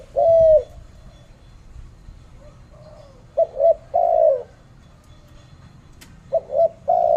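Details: Low hollow cooing of a spotted dove in Malaysia: a long coo, a gap, then groups of two quick notes and a longer coo, repeated twice.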